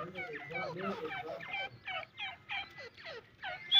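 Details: Irani francolin calling: a quick series of harsh, grating, broken notes repeated in short bursts about every half second, fairly faint against a quiet background.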